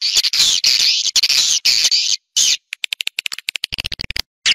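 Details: Outdoor swiftlet sound from Malaysia, played as a lure to draw swiftlets into a nesting house: dense, high buzzy twittering in bursts, then rapid choppy clicks and chirps with short silent gaps.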